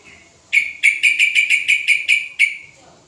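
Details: Sooty-headed bulbul aged five years, singing energetically as a lure for other birds: a loud string of about eight strong, ringing chirps in an uneven rhythm.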